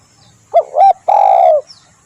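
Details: Spotted dove (tekukur) call used for luring birds: one phrase of two short, quick coos followed by a longer drawn-out, slightly falling coo, loud and clean.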